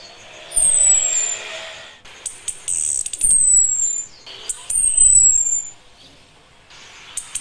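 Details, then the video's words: Breeding-ready female orange-headed thrush calling for a male, the nritik style: thin, very high whistles gliding slightly downward, given about three times over several seconds, with clicks and low rumbling noise between them. "ANIS KEMBANG BETINA MEMANGGIL JANTAN"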